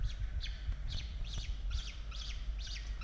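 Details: Peregrine falcons at a nest in Australia during the evening feeding of chicks on 16 October 2022. A rapid series of thin, high chirps repeats about every half second over a low background rumble.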